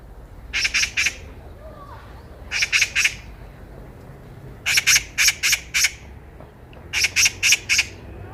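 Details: Eurasian magpie calling loudly on a walking path, ringing out around: repeated bursts of three to five harsh, rapid, rasping squawks separated by pauses of about a second, steady low background rumble.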